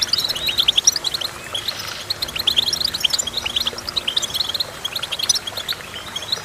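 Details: Twittering goldfinch song, busy bursts of high clipped chirps and trills, louder at the start, then a brief lull and renewed rapid phrases, against faint background noise.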